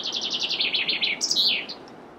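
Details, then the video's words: Chaffinch song phrase already underway: fast trilled notes stepping down in pitch, then a higher burst and a final flourish, with some low background noise. "Chaffinch Birdsong"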